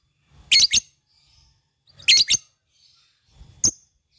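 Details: Fighter lovebird giving short, sharp chirps, with a paired burst twice and then a single squeak, separated by silent gaps of over a second.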